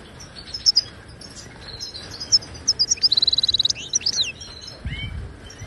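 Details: Wild Moroccan goldfinch, song for teaching silent caged birds: soft scattered chirps, then a crisp rapid trill of about a dozen notes near three seconds, followed by twitters against faint background hiss.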